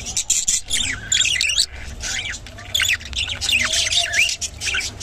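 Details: Rainbow budgerigar chattering: busy, squawky warbles and chirps in bursts, some rising and falling, with short pauses between phrases.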